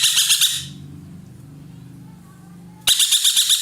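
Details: Ekek keling, a roller kept by Indonesian songbird keepers, calling loudly and actively: rapid harsh, rasping bursts pulsing about four times a second, a gap with faint low hum, then another run of bursts.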